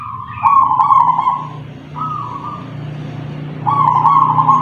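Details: Kept zebra dove originally from a punden in Tuban, East Java, known for a 'kung' voice. Three soft, purring coo phrases separated by pauses, over a steady low droning hum.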